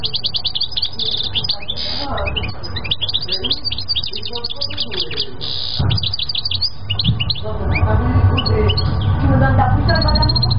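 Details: A European goldfinch pours out a long run of quick tinkling chirps and twittered trills with a few buzzy notes, while low rumbling noise grows louder toward the end.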